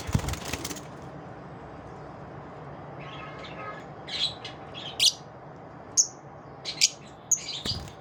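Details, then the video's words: Lovebirds after dawn: after a burst of rustling noise, sharp high chirps and squeaks appear in the second half at irregular intervals over a low background hum. "Love birds after dawn"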